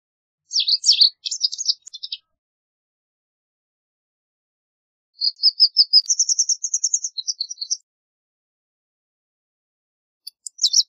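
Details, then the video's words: White wagtail with a burst of sharp chirps, then after a pause a fast, evenly spaced string of high twittering notes that rises in pitch, and a few last chirps at the end. The background is quiet. "White Wagtail Song! White Wagtail Call! White Wagtail Sound- Lavandera Blanca Canto"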